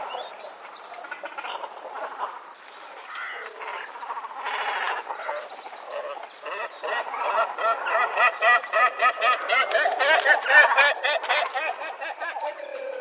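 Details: Great cormorants (Continental subspecies Phalacrocorax carbo sinensis) at Montemor-o-Velho, Portugal, 26 March 2012: harsh, guttural croaks and gargling grunts from many birds, overlapping quickly and growing louder and denser toward the end.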